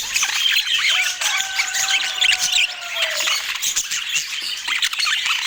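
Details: Budgerigar chatter from Portland: rapid, scratchy chirps fill the background while a pair of long, steady tones hold for about two seconds before sliding slightly down.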